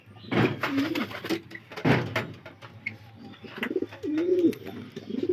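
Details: Domestic pigeons in a loft in the morning, calling loudly to be fed at feeding time, give low, wavering, throaty coos while a man talks nearby.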